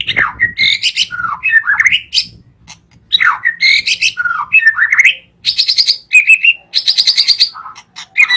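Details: Loud, fluty white-rumped shama song with repeated looping phrases of rising and falling whistles, dipping slurs and sharp upward notes, ending in harsh rattling trills and short whistled notes.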